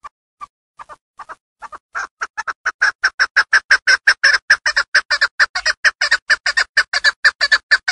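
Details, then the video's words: Mountain chukar partridge, a female hunting bird from Darvoz, Tajikistan, starts with sparse, soft, widely spaced clucks that speed up and swell into a loud, fast series of harsh chuk notes, several per second. "Садои Модкабки Шикори 70 та гиро аз н.Дарвоз. Голос птиц как поёт горная Куропатка. Кеклик вТаджикис"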